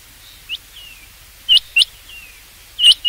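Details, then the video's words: Rain quail uttering two sharp metallic notes close together, then another loud note near the end, with soft thin sliding whistles from other birds in between. "rain quail sound for hunting چنگاکی آواز شکار کیلئے"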